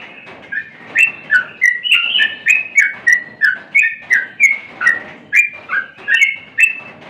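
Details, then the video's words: Yellow-vented bulbul (trucukan) singing in full voice: lively bubbly phrases of short liquid whistled notes, rising and falling, delivered in quick bursts about three per second, with clean quiet background. "suara burung Trucukan sedang gacor"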